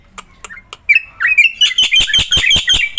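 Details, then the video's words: Black-winged myna singing in captivity as a prompt for other mynas: a few soft clicks and short whistles build into a loud, continuous run of harsh, rapidly repeated chirps. "JALAK PUTIH GACOR"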